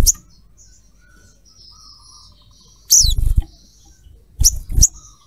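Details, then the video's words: Female little spiderhunter calling to the male, a lure for other birds; sharp high descending chirps, one at the start, then a loud burst near three seconds and two quick chirps near the end, with quiet background. "Sogon Trotol Ngalas cruet gacor pancing sogon lain"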